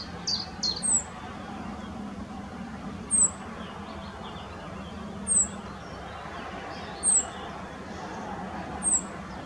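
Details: Rock bunting male carrying a grasshopper, Moselle valley at Valwig, Germany, giving thin, high, downward-slurred 'zip' calls repeated roughly every two seconds; a brief burst of another bird's chirping opens, with a constant low hum behind.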